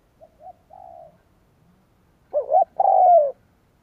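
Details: Spotted dove cooing as a lure for wild doves: a soft run of short low coos, then one loud phrase of two clipped hoots ending in a long falling coo.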